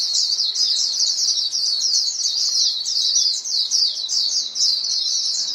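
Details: White-eyes calling within a flock, a recording used to stimulate caged birds; rapid high chirps, about a hundred a minute, tumble over each other in a steady lively stream.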